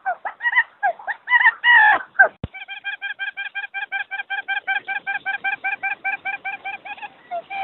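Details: Quail lure call: a few irregular nasal harmonic notes, then a fast, steady string of short, clipped, ringing notes repeated more than twice per second. No other clear sounds.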